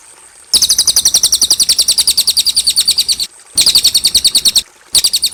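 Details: Cililin song recorded clean as masteran for teaching young songbirds: three bursts of fast, high, piercing repeated notes, the first nearly three seconds long, the later ones shorter, with brief pauses between.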